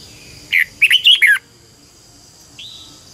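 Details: Red-whiskered bulbul used as a decoy singer for training birds: a quick run of rich warbled whistles, then a pause and one single softer rising note.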